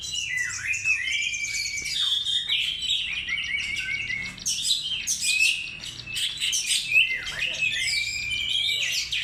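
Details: Oriental magpie-robin lure song, a rich unbroken flow of sweet whistles, sharp dipping slurs and fast chattering notes, mostly high and varied in pattern.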